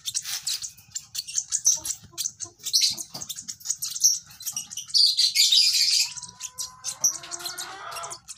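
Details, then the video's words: Baby lovebird giving rapid, high, thin chirps in uneven bursts, with a louder chattering patch midway and a faint steady tone near the end. "lovebird sounds baby bird - lovebird chirping sounds"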